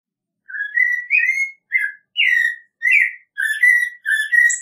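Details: Series of seven loud, full whistled phrases from an American robin, slurred up and down in a steady caroling rhythm.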